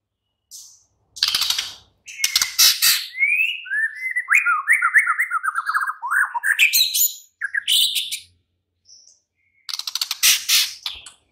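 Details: White-rumped shama night lure song to make a bird respond and sing; harsh raspy bursts frame a warbled stretch of quick, slurred whistles in the middle.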